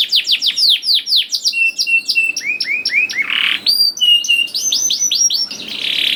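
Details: Canary song used to prompt young canaries to start singing: rapid series of descending whistled notes and chirps, mostly high-pitched, with buzzy trilled bursts and varied repeated phrases.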